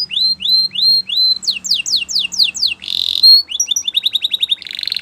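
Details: Canary singing for training: upslurred whistled notes repeated about three times a second, a run of sweeping descending notes, a buzzy roll, then quick chips and a dense trill.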